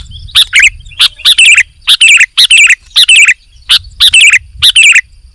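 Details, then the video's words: Sooty-headed bulbul singing in an active training recording: short clusters of sharp chirped notes in pairs and threes, with brief silent gaps between groups. "KUTILANG GACOR"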